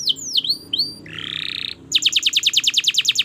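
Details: Long-singing canary used to prompt young birds: swooping downslurred whistles, a buzzy trill, then a quick series of repeated bright notes.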